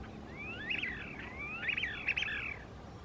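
Chiloe wigeon giving two bright whistled phrases, each a long rising whistle breaking into a quick stuttering flourish, over a faint low rumble.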